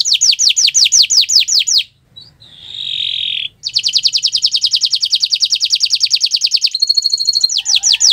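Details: Canary song on a Friday morning, with evenly repeated downslurred whistles, a brief pause and a steady whistled note, then a long fast rolling trill and a few squeaky notes.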